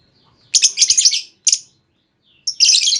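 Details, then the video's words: Female lovebird call used to make another lovebird respond with long trilling: a loud, buzzy, shrill chatter, a short double note, then a brief silence before a dense harsh burst. "Pancingan Burung Lovebird Betina! Bakal Langsung Respon Lovebird Segala Kondisi Auto Ngekek Panjang"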